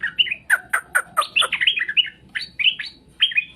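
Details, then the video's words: Straw-headed bulbul singing, used to draw a reply from other birds: loud, rapid, liquid notes in quick succession, some sharp and clipped, others rolling and warbled, forming a continuous chattering phrase. "Suara burung cucak Rowo di jamin langsung nyaut"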